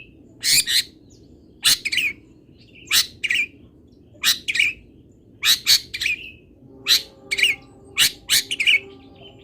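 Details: Long-tailed shrike 'isian' song from a local Pati bird: sharp explosive notes and raspy trills in irregular bursts, with a faint hum entering near the end.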